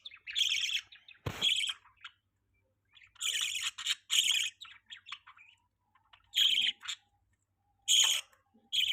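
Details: Pet budgerigar chirping: short bursts of harsh, scratchy chirps and chatter, each lasting about half a second to a second, separated by brief pauses, with one sharp click early on.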